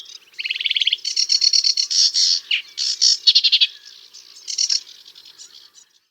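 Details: Sedge warbler song opening with a rapid buzzy trill, then rich, jumbled chattering phrases with harsh and slurred notes mixed, fading into softer, scattered notes at the end.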